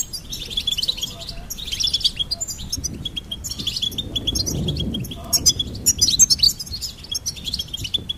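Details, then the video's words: Goldfinch pouring out a lively twittering song, sharp high notes strung in quick series, louder flurries toward the end. "Goldfinch Singing and Song Compilation"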